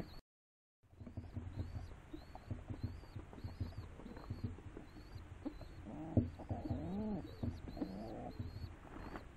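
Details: Rock doves, after a brief silent gap, shuffle and tap, then give a run of low rolling coos with rising and falling pitch, while a faint high chirp repeats throughout.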